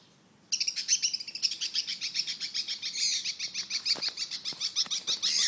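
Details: A lovebird, one of a territorial pair that dislikes other birds, keeps up a shrill, rapid chatter of harsh high chirps, several per second, with a few sharper clicks toward the end.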